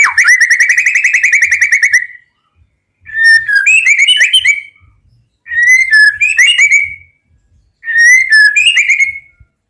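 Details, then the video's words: White-rumped shama singing in full repertoire: bright whistled phrases, each about two seconds long, repeated roughly every three seconds with short silent gaps, and a first phrase that is a long rapid warble. "MURAI FUL ISIAN PAS UNTUK MASTERAN MURAI"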